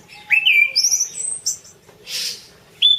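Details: Orange-banded thrush, a tutor recording of its song: a rising whistle leads into bright high slurred notes, then a brief harsh burst and another sharp whistled note.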